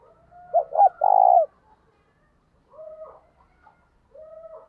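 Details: A spotted dove used as a decoy gives soft, hollow coos in short phrases, ending on a longer, fuller note, calling to lure wild doves in.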